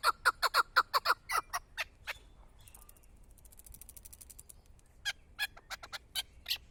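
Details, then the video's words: Chukar partridge kept for hunting gives a burst of rapid loud clucks, then a pause with faint distant chattering, then a renewed series of sharp notes. "Кабки шикори"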